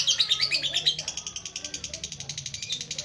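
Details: Lovebird 'ngetik' chatter for coaxing a quiet bird: a shrill, scratchy burst in the first second, then evenly paced, high ticks about six per second, with a low background hum.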